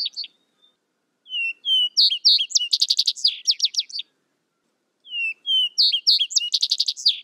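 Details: Two renditions of Vesper sparrow song, each made of soft whistled lead-in notes followed by a dense, fast trill of high chips, separated by about a second of quiet.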